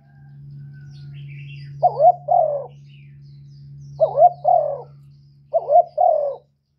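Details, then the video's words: Spotted dove, used as a lure call to draw in doves, giving three-part cooing phrases repeated about every two seconds, each with short quick notes then a longer falling coo; steady low hum underneath. "Tiếng cu gáy Kích bổi"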